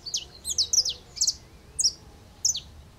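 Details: Saffron finch (canarinho-da-terra) perched in an aroeira tree in Brazil, singing high clipped chirps in clusters, then spaced single notes, roughly every half second, over a quiet background.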